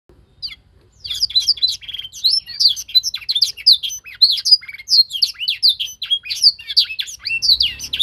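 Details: Young canary during a singing-training session, in which young birds learn to imitate a master song. After a quiet first second, a dense, continuous stream of rapid high chirps, twitters and trills runs on without pause.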